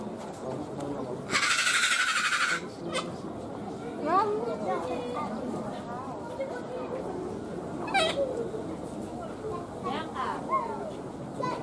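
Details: A sulphur-crested cockatoo at Ueno Zoo, Tokyo, Japan, gives one loud, harsh, grating screech lasting about a second, over steady background chatter from people.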